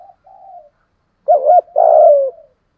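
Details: Spotted dove in 'giọng thổ' style luring wild doves to fight: low soft coos first, then a loud double-humped coo and a long throaty coo fading downward.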